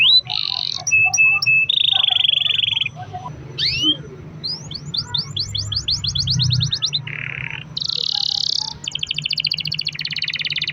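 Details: Long-rolling canary song meant to prompt other canaries into singing: varied tours of buzzy sustained trills, clipped repeated chips and rapid descending whistle series, switching phrase every second or two, with a faint low hum beneath.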